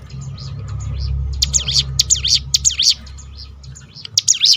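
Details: Prinia known as ciblek gunung in a 'tembakan' roll meant to stir other birds to sing; soft scattered chirps first, then a burst of high zigzag sweeping notes repeated quickly, with a low hum beneath.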